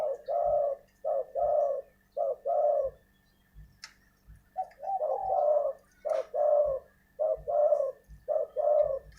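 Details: Spotted dove kept as a ground decoy bird, giving low, hollow coos in short grouped phrases, about thirteen notes with a pause midway, steady and fairly evenly spaced; faint clicks in the background.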